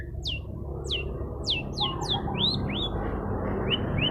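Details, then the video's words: Long-tailed shrike in strong song meant to agitate opponents: clear downslurred whistles about every half second, then rising slurred notes, roughly three per second, with faint lower warbles over constant low background rumble. "cendet gacor bikin lawan cepet emosi"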